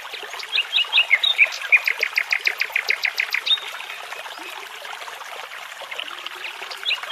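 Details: Forest nightingale near a babbling brook opens with quick high whistles, then delivers a loud series of repeated chirping notes for about two seconds before fading into quieter scattered calls over the murmuring water.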